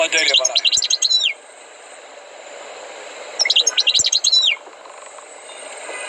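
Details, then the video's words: Tutored European goldfinch singing: two short bursts of bright, tinkling twitters and buzzy notes, each about a second long, separated by a quiet pause with faint background hiss. "غناء حسون قمة في الأداء غلطة لا _Chant du chardonneret"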